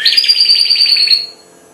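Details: A four-month-old goldfinch hybrid just beginning to sing gives a brief, bright twittering trill of quick high notes that fades out after a second.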